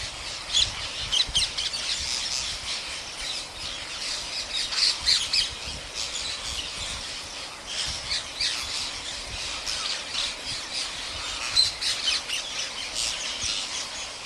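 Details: Huge flock of wild parrots, around 10,000, fed daily by a farmer in India, squawks and screeches without pause, harsh high calls overlapping several times a second into a constant chattering din.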